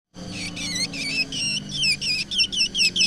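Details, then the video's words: Black drongo, original recording used as a lure: a run of bright, harmonic notes, each dipping and rising, repeated roughly three times a second over a faint low hum. "suara original srigunting hitam untuk pancingan"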